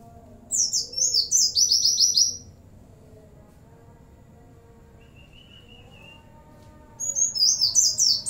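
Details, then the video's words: Oriental white-eye in active song with imitated cililin, bren and cigun phrases: a burst of rapid high twittering, a long quiet stretch with one soft steady whistle, then another quick high twittered run. "pleci gacor isian CiLiLin sambung bren cigun"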